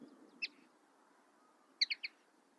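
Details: Common linnet: a single high chirp, a pause of over a second, then a quick run of three bright twittering notes, against a quiet background hiss.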